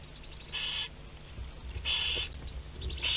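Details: Barn owls nesting in a box at Théding, France, 27 April 2021, with prey moving about: three soft wheezy hisses spaced about a second apart over low rustling.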